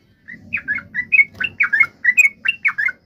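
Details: Yellow-vented bulbul calling in an excited, combative way: a steady series of about a dozen short, clear, whistled and slurred chirps, roughly four per second, over a faint low hum.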